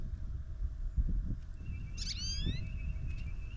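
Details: Talkative goldfinch at a feeder camera on a snowy morning, after the snow let up. A single quick call with sweeping, slurred notes, a steady high tone running behind it, and low rumbling outdoor noise throughout.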